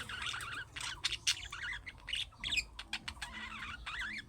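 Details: Budgerigar chatter in the young-bird calling style that prompts other budgies to reply: wavering, undulating warbled notes mixed with sharp clicks and squeaks in a steady stream over soft room hum.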